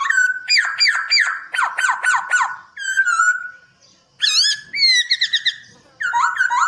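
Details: White-crested laughingthrush in loud gacor master song for training birds: repeated sharp descending whistles in quick succession, a pause, then higher rising phrases and a final warbled group.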